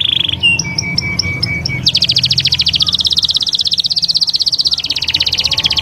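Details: Canary performing Taghreed song meant to train chicks: a brief high note, a series of short repeated whistles, then a long fast rolling trill at steady pitch.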